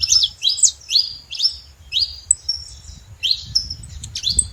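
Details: Saffron finches at a feeder: high chirps and short slurred whistles, some falling in pitch, coming in quick uneven bursts from more than one bird, over a low background rumble.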